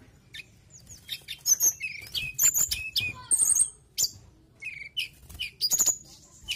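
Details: Mountain tailorbird in full song: dense bursts of high, piercing whistled notes and quick chirps, some rising and some falling, mixed with sharp clicks and a few lower trilled phrases.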